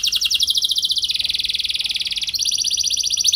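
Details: Canary rolling song, played to coax other canaries into singing: an unbroken rapid trill whose pitch steps down after a second, holds, then jumps back up, sustained throughout.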